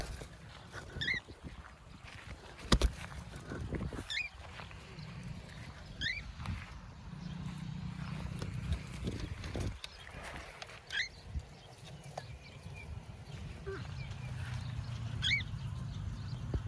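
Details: A free-flying cockatiel over rice fields gives short, sweeping whistled calls every few seconds over low wind rumble.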